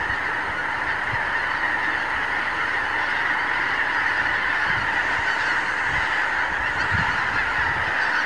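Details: Huge gathering of wild geese on morning pastures and fields in the Lower Rhine region, filmed with a Canon HV20 camcorder: continuous massed honking, many birds calling at once in an unbroken chorus, with a few louder nearby honks.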